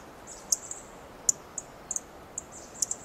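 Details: A Dark-eyed junco perched on a twig in a Coast Live Oak gives sharp, high ticking chip calls, about eight in three seconds at uneven intervals, over a faint high hiss.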